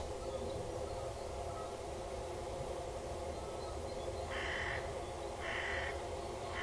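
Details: Male peregrine falcon on a water tower, 5 February 2017 at 08:08, lands calling loudly with prey on a grating, waits, then flies off with it: three harsh, grating calls about a second apart over steady hum.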